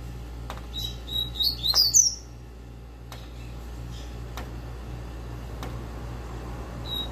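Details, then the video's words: Caged Double-collared Seedeater singing the tui tui or zel zel style: a short burst of thin, high twittering notes lasting about a second, then steady background hum and a few faint clicks. "COLEIRA TUI TUI ZEL ZEL"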